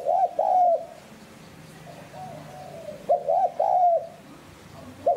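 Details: Lure recording of a spotted dove, 'hạp bổi sát bổi' voice: two clear coo phrases about three seconds apart, each a hiccuping pair of notes and then a sustained soft tone, with a fresh phrase just starting at the end.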